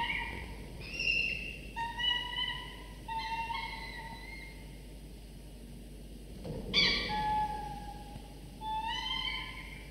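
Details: Falcon chicks, 24–25 days old, in the nest at morning feeding after the father brought prey, give thin, drawn-out wailing calls, some level and some rising, in short bursts every second or two over a faint steady hum.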